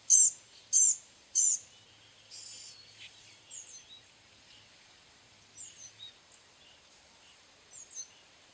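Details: Blue-gray gnatcatcher: three sharp, high, ringing notes about half a second apart, then softer, thin wheezy notes and scattered faint squeaks in a quiet setting.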